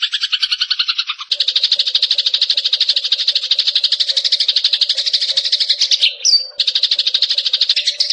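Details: Eurasian tree sparrow, varied chirping used as masteran training material for competition songbirds: dense, rapid rolling chirps repeated about three times a second, almost unbroken, with a brief sweeping note near the end and a faint low hum beneath.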